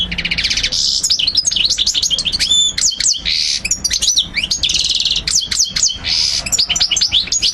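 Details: Song of a European goldfinch, known locally as mguneen, played to teach and motivate young birds to learn it. It is a continuous, rapid, high twittering of sweeping chirps, slurred whistles and buzzy trills without a pause.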